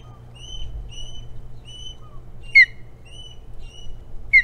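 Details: Ospreys at Hog Island, 9 April 2017, morning, as one bird comes and goes. Clear whistled chirps repeat in a loose series, broken twice by a louder, sharper note that slurs downward.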